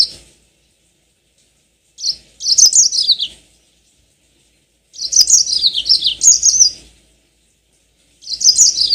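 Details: Yellow-fronted canary lure song, used to get other birds singing with long rolls: three bursts of high, rapid, sweet warbled notes, each about a second long, with falling slurred trills and pauses of roughly two seconds between.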